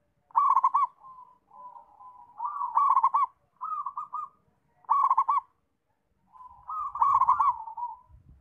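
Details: Zebra dove (perkutut), described as a lively, freely singing bird, in song: bursts of rapid rolling coos near one pitch, each phrase about half a second, repeated every two seconds or so with softer trailing notes between.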